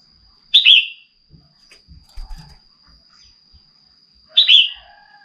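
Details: Two sharp, downslurred whistles from a female red-whiskered bulbul stimulating a male to sing come about four seconds apart. Faint low thuds fill the gap, and a steady high whine runs throughout.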